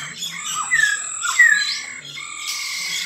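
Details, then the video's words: Fighting song of a black-throated laughingthrush: two clear falling whistled slurs, then a sustained level whistle, over faint background hiss. "Khưu mun hót đấu"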